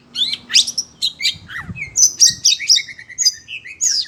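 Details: Kept Oriental magpie-robin, agitated at the sound of other birds, sings a fast, jumbled medley of bright whistles, upslurred notes and short buzzy trills, the phrases crowding together over a few seconds.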